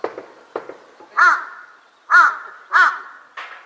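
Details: Large-billed crow heard in a park during cherry-blossom viewing on April 26, giving three strong hoarse caws about a second apart, preceded by several fainter short clicks and knocks, with a brief rough note at the end.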